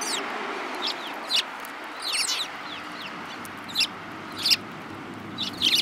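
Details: Eurasian tree sparrows with a yellow-beaked youngster among them, dated 7 March 2018: scratchy, clustered chirps, a rapid burst near the middle and louder doubled notes toward the end, over steady background noise.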